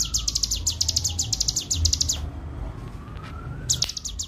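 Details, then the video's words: Bar-winged prinia master training recording in 'ngebren' style: a fast stream of sharp high chips for about two seconds, a pause, then the rapid chipping resumes, over a low wailing siren-like tone and background rumble. "masteran cigun ful ngebren gacor suara jernih"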